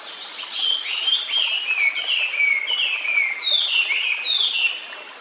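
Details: Song of a Japanese paradise flycatcher, a blue-billed, blue eye-ringed bird watched at its nest in a quiet forest; about a dozen clear, falling slurred whistles follow each other steadily, likened to tsuki-hi-hoshi hoi hoi hoi.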